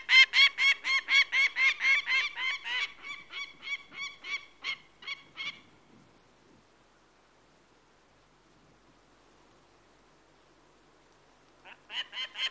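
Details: Peregrine falcon giving loud, rasping repeated notes about twice a second that fade over five seconds, followed by a long silence before a short new burst.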